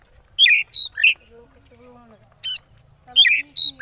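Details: Oriental magpie-robin konslet song, played to provoke rival birds: three loud scratchy rasping notes, a pause with faint lower tones and a voice, then more harsh clustered bursts.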